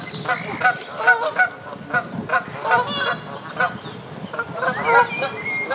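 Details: Canada geese bathing on a West Sussex pond at Midhurst give a quick series of loud, nasal honks, some slurred and rising, with a few faint higher chirps from other birds in the background.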